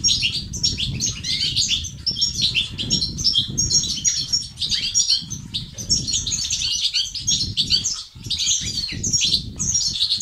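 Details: European goldfinch batbata and stastat song meant to rouse silent males into singing: a long, busy stream of tinkling, twittering phrases with occasional buzzy notes, steady low background rumble throughout.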